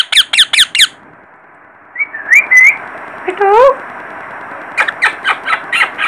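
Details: Baby parrot giving bursts of sharp, high downslurred chirps, then a few rising whistled notes and a short wavering call, ending with another quick run of repeated chirps over a quiet background hiss.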